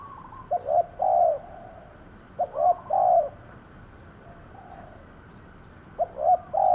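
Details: Spotted dove used as a decoy for luring wild doves, cooing three times: brief lead-in notes then a long mellow coo per phrase, separated by pauses of over a second.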